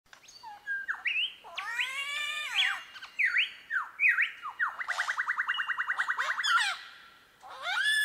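A superb lyrebird runs through borrowed sounds: nasal mewing squawks, swooping slurred whistles, then a fast stuttering rattle of a dozen or so notes, and more squawks.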